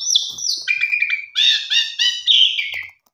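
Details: Continuous pied myna warbling played to prompt mynas that have stopped singing: high sliding whistles flow into stacked buzzy tones and a descending chatter.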